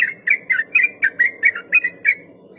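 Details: Sooty-headed bulbul song in the long 'ropel panjang' style, used as master recording to teach untamed captive birds: nine short, bright whistled notes, roughly four per second, each slightly falling, over a faint low hum.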